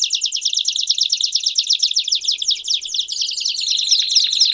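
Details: Rapid, rattling trilled song of a Belgian canary, a dense run of quick repeated notes that shifts into a smoother buzzing trill toward the end.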